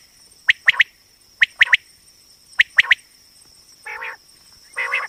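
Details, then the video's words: Female common quail, or batair, voice used for quail hunting: crisp clipped notes in groups of two or three, about once a second. Later come two short, lower buzzy rasps, with a constant high electronic-sounding tone behind. "common quail hunting sound//batair ki awaz"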